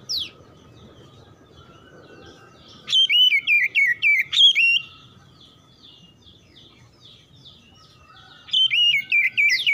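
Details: Oriental magpie-robin responding quickly by following another song despite usually being a reluctant singer: two bursts of rapid, loud whistled warbling with sharp high notes, the first about two seconds long, the second starting near the end after a quiet gap.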